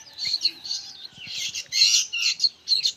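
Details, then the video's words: Loud, rough chattering of young sooty-headed bulbuls: broad, buzzy high chirps in rapid bursts with short gaps, the birds calling over one another. "SUARA BURUNG ANAKAN KUTILANG PALING RIBUT BERBUNYI"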